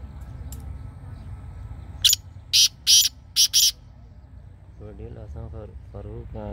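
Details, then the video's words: Black francolin, also called black partridge or kala teetar, giving a quick phrase of five loud, harsh, grating notes over under two seconds, followed by a man talking over a low background hum. "Black Partridge Voice | Kala Teetar Voice | Kala Teetar Ki Awaz"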